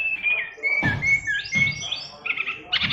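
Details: Caged oriental magpie-robin of fighter type, its song packed with varied material: clear whistled notes near the upper-middle range, slurred rising and falling phrases, and short buzzy bursts, with low thumping noise underneath.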